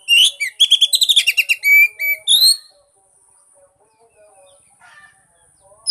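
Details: Song of an Oriental magpie-robin used to stimulate a silent bird: a rapid string of shrill, buzzy chirps and trills, then a few clear slurred whistles, followed by quiet and a final note.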